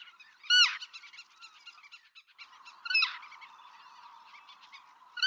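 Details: Black-tailed godwit calling in Pingtung County, Taiwan, on 6 October 2015. Loud, harsh, arched calls come roughly every two and a half seconds, set against a steady chatter of many smaller calls.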